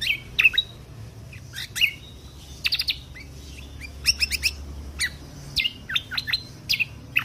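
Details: Lesser green leafbird singing for contest-bird training in the 'full tembakan kunti' style. Harsh, scratchy notes mix with slurred whistles and quick double chips, fairly soft, with low background rumble.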